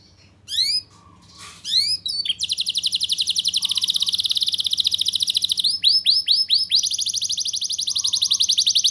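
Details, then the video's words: Canary tutor song to stimulate young canaries: a few isolated sweeping notes open, then a long, steady, very rapid high trill, broken by a burst of swooping slurred notes before the trill resumes, over faint low background hum. "Pancingan dan Masteran Kenari Gacor Ngotot! Ahlinya Memancing Kenari PAUD Pasti NYAUT"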